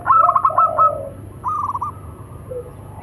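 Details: Local zebra doves answering each other, male and female; a loud rapid stuttering coo phrase opens, followed by a softer rolling phrase, over faint background hum.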